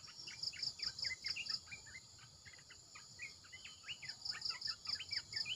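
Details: Red-eyed bulbul decoy sound from a caged bird: quick run of short, bright, warbled phrases, some sliding upward, under a loud bead-like insect pulse and steady insect drone.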